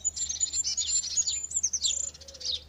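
A goldcrest sings a very high, thin, rolling series of rapid notes that ends in a quick twiddle, with a faint low tone underneath.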